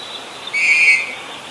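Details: Black-collared starling in Ubon Ratchathani, Thailand, 10 February 2023, giving one level, ringing whistle about half a second long with bright overtones against a soft hissing background.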